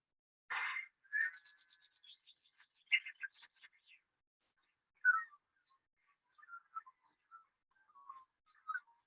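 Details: A common chaffinch, New Zealand's most common bird of bush edges, forests and urban areas, opens with a loud harsh burst, then a quick run of bright chirping notes, followed by scattered short, lower whistled notes.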